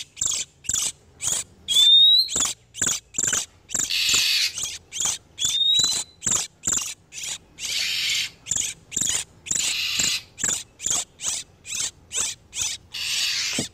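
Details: Oriental magpie-robin, male and female in breeding condition, lure for catching wild birds: a long run of rapid, evenly spaced harsh high ticks and rasps, broken by hissing churrs and two rising whistled notes early on.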